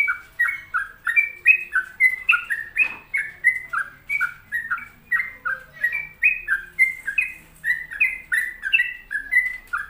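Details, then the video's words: Gacor-style singing from a sooty-headed bulbul, known locally as trucuk: a long, steady run of short, bubbly, whistled notes that alternate up and down, roughly two per second, with a quiet background. "Pokoknya Cari Trucuk yang Gacor"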